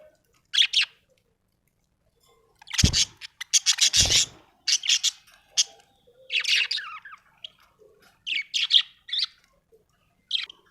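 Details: Happy budgerigar giving scattered high, scratchy chirps and rapid chattering bursts over about ten seconds, with two low thumps early on.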